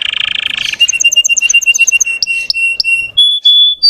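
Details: Russian canary song for provoking untrained birds: a harsh buzzy roll, then a run of evenly spaced whistled pips about five per second, ending in clear sustained whistles at rising pitches.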